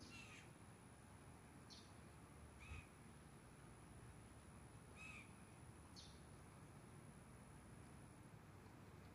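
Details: A juvenile Blue Jay near its nest high in thick trees, around 5:30–5:45, begs loudly to be fed by its mother; five harsh, raspy calls spaced one to two seconds apart, over low rumbling and a thin high hum.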